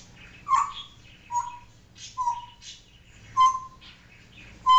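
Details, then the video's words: Indoor pet African grey parrot that talks and imitates barking, repeating short flat whistled notes about once a second, mixed with soft squeaky chatter. "African Grey talking and making sounds"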